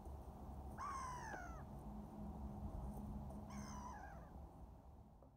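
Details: Velvet scoter on Lake Sempach, Switzerland, 28 February 2018, gives two harsh, nasal, downslurred calls about three seconds apart, over a steady low rumble of wind or water.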